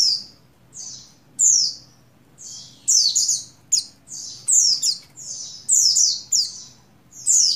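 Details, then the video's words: Female Oriental white-eye of the buxtoni form, in breeding condition, calling a male, dated 7/3/21: thin high chirps sliding downward, given singly and in quick pairs, roughly every half second, over a faint low hum. "Call Burung Pleci Betina Birahi Memanggil Jantan"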